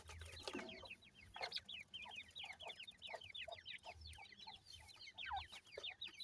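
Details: Grey francolin chicks cheep in a dense, even stream of short, high, down-slurred notes, with soft low thuds recurring beneath.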